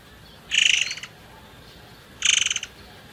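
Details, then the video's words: Forktail sound played as a lure to make other birds sing: two short, rapidly pulsed, buzzy rasps about 1.7 seconds apart, with quiet background between them. "PANCINGAN MURAI AIR MANCUR BAHAN"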